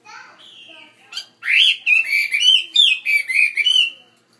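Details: Caged Chinese hwamei kept in a bigger cage, singing loud rich phrases of rapid slurred whistles that rise and fall, rolling on for over two seconds after a few quieter opening notes.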